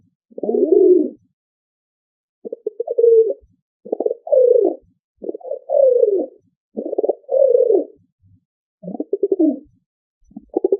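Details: Pigeon cooing: soft, low, throaty coos about a second long, delivered in a series of separate phrases with short pauses between them, over quiet background.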